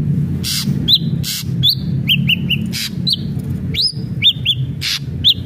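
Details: Lively ashy drongo song for encouraging a captive bird to sing: scratchy broadband notes alternate with clear upslurred and hooked whistles, in irregular phrases over a low background drone.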